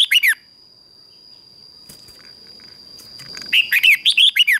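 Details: Red-whiskered bulbul competition song, played to train other birds and stir them to sing: one brief burst of bright, slurred warbling notes, then a quiet gap with a steady high whine, then a longer run of six or seven rapid, rising-falling whistled notes.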